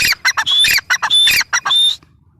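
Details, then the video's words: Grey francolin (teetar) giving a loud burst of harsh, scratchy notes interleaved with clear whistled rising notes, three phrases within two seconds, then abrupt quiet. "Teetar sound | teetar voice | gray francolin teetar sound | dakhni teetar voice | teetar ki awaaz"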